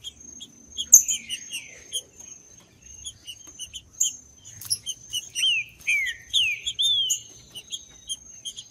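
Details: Wild green-winged saltator in the woods, a recording meant to stimulate caged males before tournaments. Several sweeping downward whistles come in the second half, among busy high chirping from other birds and a continuous high insect-like tone.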